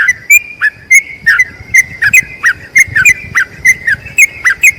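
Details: Long trilling song of a yellow-vented bulbul used to tutor others: evenly spaced, bright whistled notes with bubbly slurs and high ticking overtones, a few notes each second.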